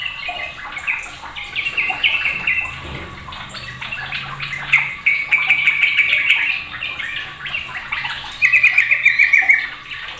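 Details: Noisy sooty-headed bulbuls, one bird prompting the rest to join in. Repeated rattling, stuttered phrases overlap through the clip, with a sharp trilled burst near the end over busy background chirping.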